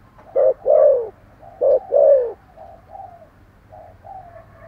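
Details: Spotted dove calling and cooing energetically: two strong phrases of a short note and a drawn-out, gently falling coo, then softer, thinner paired coos trailing off, with little else heard.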